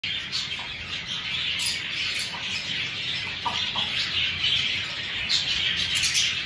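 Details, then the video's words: A flock of lovebirds in a breeding aviary keeps up constant shrill, high-pitched chatter, with sharp squeaky chirps overlapping several times a second. "Love Birds Breeding Aviary"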